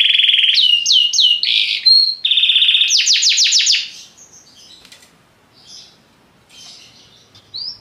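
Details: Belgian canary with short trilled phrases and sweeping whistles at first, then the song fades into soft scattered chirps and a final thin whistle.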